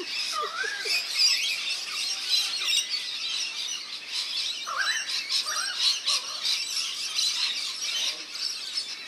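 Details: A backyard birdbath in NSW, Australia, where rainbow lorikeets are bathing: steady high, scratchy chatter runs throughout, with a few clearer rising whistled notes breaking through in the first half.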